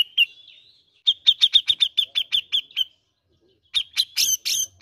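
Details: Grey-cheeked bulbul (cucak jenggot) lure sound to coax green leafbirds into song: fast even series of about ten bright chirps, a pause, then harsher burry notes.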